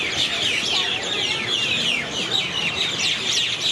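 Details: Many birds calling loudly together from one tree at night in the town of Airlie Beach, Australia, 2024; a dense, continuous wash of high, overlapping chirps and squeaky notes with no pauses.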